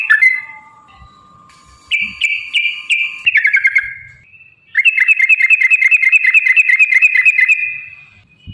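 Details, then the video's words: Yellow-vented bulbul in the long 'ropel' chatter used as a lure to provoke singing and fighting: a few slurred notes, a short burst of repeated chirps, then a long even string of rapid bubbly notes for almost three seconds. "trucukan gacor TARUNG ROPEL PANJANG pancingan trucukan agar bunyi"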